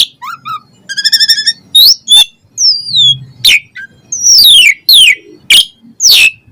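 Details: Asian pied starling in varied song: a quick rattling trill, clear sliding whistles, then loud harsh downward-swooping notes repeated several times.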